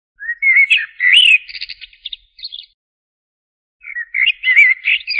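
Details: Common blackbird song: a flowing series of fluty whistled notes ending in high, rapid, scratchy chatter, then silence before another mellow warbled phrase starts up.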